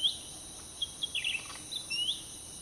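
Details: A cucak ranting (grey-bellied bulbul) near a roadside trapping cage in Pakpak Bharat, Sumatra, gives quick high chirps and a short twittering run ending in a rising note, with a constant insect drone in the background.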